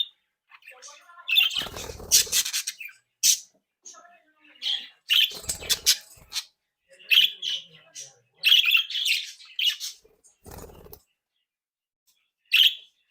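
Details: Playful, active budgerigar flock in captivity, sparse bursts of chirps and scratchy squawks separated by short silences, with occasional clicks and knocks.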